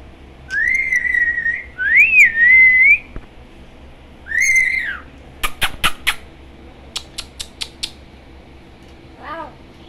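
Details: Pet parrot talking with its owners, indoors: a few drawn-out whistled, voice-like phrases that rise and fall, then a run of sharp clicks and short squeaks, and a soft squawk at the end.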